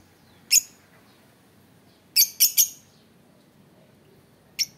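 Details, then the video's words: Lovebird giving short, sharp, piercing high chirps: a single note, then a quick run of three, and one more near the end, separated by quiet pauses over a faint low background hum. "sounds of love bird"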